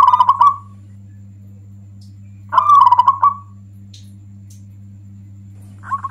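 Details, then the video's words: Local zebra dove, or perkutut, in loud song said to make rival doves angry. Two short, rolling, gurgling coos are separated by two seconds of near silence, with another phrase starting at the end, all over a low droning hum. "Suara perkutut lokal ini bikin marah perkutut yang lain cocok untuk pemancing"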